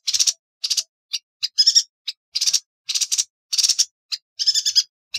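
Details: Sharp, piercing yuhina notes used for songbird training, delivered as scattered single chips and short buzzy trills in an irregular staccato pattern, quiet background throughout.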